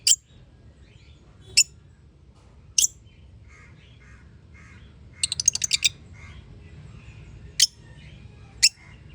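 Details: Bird of the parrot family calling with isolated shrill, clipped chirps and one rapid rattling burst of around eight quick high notes midway, quiet low hum underneath.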